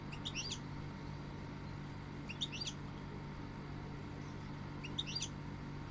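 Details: Goldfinch song in three brief bursts of rapid, tinkling high notes about two seconds apart, set against constant low hum and hiss.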